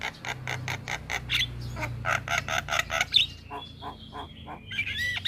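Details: Javan myna in lively song: a rhythmic series of harsh, clicking pulses, then a thin high whistle and squeaky chattering notes over a low background hum.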